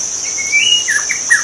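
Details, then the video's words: White-rumped shama singing in the wild: a long whistled note rising then held, followed by short descending slurred phrases, over a steady high insect drone. "kicau murai batu di alam liar"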